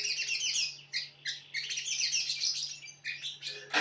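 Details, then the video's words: Konslet-style singing by a sogon: bursts of high, scratchy, fast chattering notes broken by short pauses, ending in a sharp loud burst, with a faint low background hum throughout. "sogon konslet"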